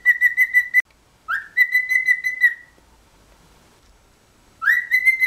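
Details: A cheeky cockatiel whistles three rising-then-level phrases of quick, evenly pulsed notes, with a silent gap of about two seconds before the last phrase.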